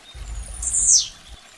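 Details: Blue-black grassquit giving a single short song: one thin, very high note sliding sharply downward, over faint low background rumble.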